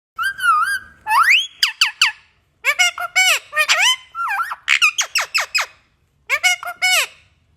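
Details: Indian ringneck parrot talking indoors: a run of clear, whistle-like speech phrases with sharply sweeping, rising and falling pitch, delivered in quick bursts separated by brief pauses, with a longer gap before the last phrase.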